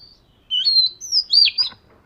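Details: Oriental magpie-robin of the fish-scale type singing as part of daily voice training: after a short silence, a bright phrase of high whistled notes, some gliding and slurred, ending in a buzzy flourish.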